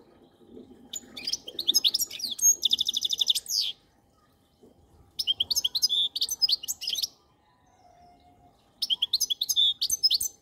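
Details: Goldfinch song in three phrases over ten seconds: tumbling twittered notes with a fast buzzy trill in the first, then two more twittering bursts after pauses of about a second and a half.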